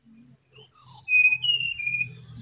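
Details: Vigorous song of a brown-chested jungle flycatcher, a pure whistled phrase that slides down in several steps and ends on a sustained lower note, over a low background hum.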